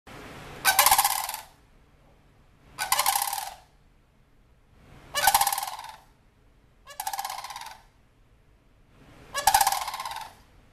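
Sandhill crane giving five loud, rolling, rattled trumpeting calls, each under a second, spaced about two seconds apart; a faint low hum underneath.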